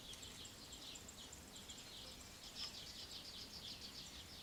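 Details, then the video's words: Eurasian wryneck (Jynx torquilla) adults feeding nestlings termites, ants and other insects in Alzira, Valencia, May 2016; the nestlings beg in a steady, high, hissing buzz of rapid pulsed bursts running together as a chorus, over low rural rumble. "Torcecuello/Colltort (Jynx torquilla) cebando sus crías."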